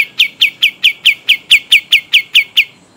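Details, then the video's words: Long rolling song of a pied triller from Kalimantan: around a dozen clear, sharp, downward-sliding chirps delivered quickly and regularly, then stopping near the end; nothing else audible. "Masteran Burung Kapas Tembak Gacor Ngeroll Panjang"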